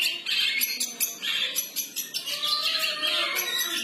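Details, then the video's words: Long-tailed shrike in free-form song, giving choppy high chatter in short pulses that builds into a longer, unbroken scratchy phrase. "Burung cendet Bersuara gaya bebas"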